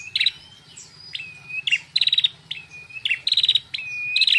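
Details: Female red-headed prinia delivering clear, loud song: sustained level whistles alternating with rapid, rattling, buzzy pulse trains, several phrases in quick succession over four seconds.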